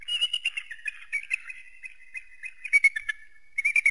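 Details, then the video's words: Eagle giving a run of high, rapid, whistled chattering notes, some stuttered, others drawn into a thin steady whistle. "eagle and its distinctive voice"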